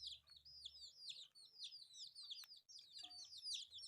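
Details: Newborn colourful chicks eating rice keep up a dense chorus of piercing, downward-slurred peeps, calls overlapping constantly over a low background hum.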